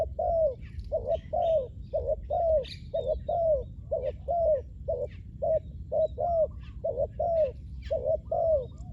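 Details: Ground-luring spotted dove calling steadily: hollow low coos in twos, the second note longer and falling, repeated about once a second throughout, with scattered small-bird chirps overhead.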